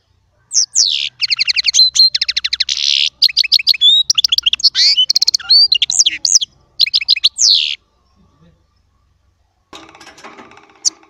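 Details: European goldfinch, small Baster, with chardonneret song: a harsh buzz, long rapid chirp trains and varied twitters for about seven seconds, then quiet with a faint rustling noise near the end.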